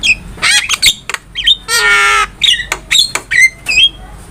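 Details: Javan myna master song for cage-bird training, mixing harsh squawks with a long nasal, buzzy note lasting about half a second and short whistled phrases.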